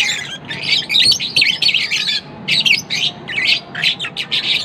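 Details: Harsh, buzzy squawks and chirps from lovebirds, rapid chattering phrases repeated in quick bursts, several birds overlapping, with a faint steady hum behind.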